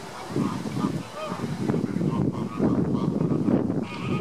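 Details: Caribbean flamingos recorded in August 2014, a flock giving low, goose-like honking calls that overlap in a continuous nasal chatter, with louder bursts every second or so and a brief higher note near the end.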